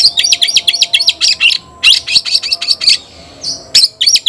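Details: Caged white-rumped shama calling a rival to fight: a steady stream of sharp, buzzy chattering notes, a short pause with a thin whistle, then a few more harsh notes.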